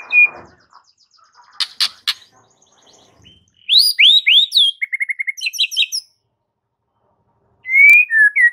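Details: Song of a white-rumped shama, played to prompt a silent bird into singing: sharp high notes, looping whistled slurs and a quick rattle of short repeated notes, a pause, then a loud clear whistle with falling follow-ups.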